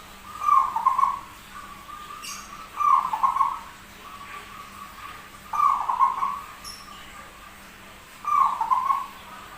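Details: Zebra dove singing persistently in an unusual voice: four rippling, trilled coo phrases spaced about every two and a half to three seconds, linked by a thin sustained tone, with a faint click and low hum.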